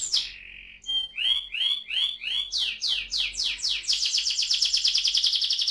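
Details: Rolling canary song used to encourage young birds to sing, opening with a held high note, then a series of swooping downward slurred notes that speed up into a fast, bright, buzzy trill.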